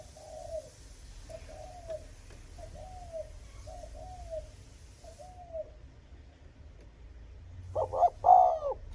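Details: Spotted dove cooing to provoke and lure rival wild males: a run of five soft, low, downslurred coos at a steady pace, followed by a sudden louder burst of coo notes near the end.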